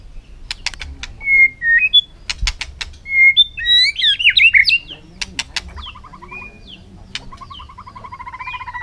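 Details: White-rumped shama in a singing contest on a sunny afternoon: clicks and short clear whistles lead into a tumbling burst of looping whistled notes, then soft repeated chattering trills.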